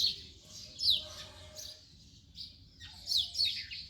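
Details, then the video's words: House sparrow uttering loud, rasping chirps in two clumps separated by a quieter gap of softer twitters. "House sparrow sound effect"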